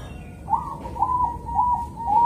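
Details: Bangkok-type zebra dove in Kediri, East Java, with a calm morning rhythm meant to lure other zebra doves to sing. Four spaced coos are joined by a thin sustained tone, each note swelling briefly, over soft background rumble.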